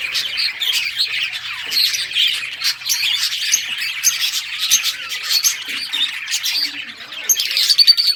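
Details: Budgies playing and chirping, recorded June 17, 2023: steady, overlapping twittering and scratchy calls over eight seconds, ending in a louder burst of sharp, ringing notes.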